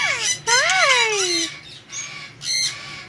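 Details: A pet Indian ringneck parakeet (rose-ringed parakeet), talking again as feathers regrow after a very hard molt, gives a quick burst of shrill, swooping, speech-like phrases, then softer squeaky fragments, in a quiet room.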